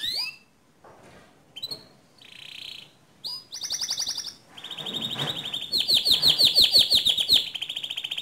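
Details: Pure white canary song begins with scattered short notes and pauses, then builds into sustained buzzy trills and a fast, regular series of bright chirps toward the end.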